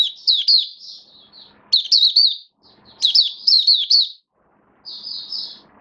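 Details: Oriental white-eye in a cage, kept as a hobby bird, recorded 19 September 2022 in build-up form: three bursts of fast, twittering downward-sliding chirps, then a softer high trill.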